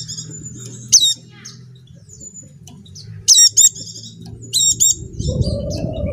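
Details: White-eye of the dakun type from Java, played as a lure to coax silent caged birds into song: isolated bursts of high, sharp, stacked chirps separated by quiet thin twittering, with a low rumbling noise near the end.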